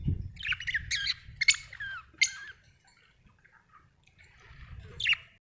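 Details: Happy budgerigar chirping: quick bursts of buzzy, warbling chirps with sliding whistled notes over the first two and a half seconds, a pause with faint twitters, then one more sharp chirp near the end; a low rumble sits underneath.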